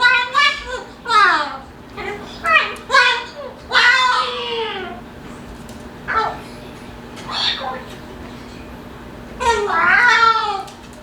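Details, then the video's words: Pet male Moluccan cockatoo talking and making noises while playing: a long series of loud, harmonic, bending squawks and drawn-out wails, some clustered and some spaced several seconds apart, with a steady low hum behind. "Moluccan Cockatoo Talking Compilation and Playing Running Jumping Making Noises"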